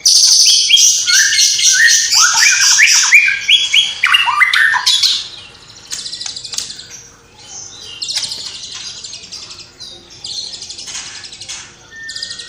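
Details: White-rumped shama from Cililin singing loudly with imitations of sparrow, fighting lovebird and kapas tembak: fast repeated chips and stepped downslurred whistles, then quieter scattered buzzy notes and chatters.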